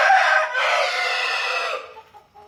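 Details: Rooster crowing, one of various crow styles: a loud harsh crow held about 1.8 seconds with rich harmonics, the tail partly cut off and fading into quiet.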